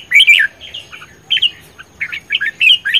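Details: Vigorous red-whiskered bulbul singing its combative competition song on 10 May 2020, loud and close: rich, rolling, whistled phrases with quick up-and-down slurs, delivered in bursts separated by brief gaps.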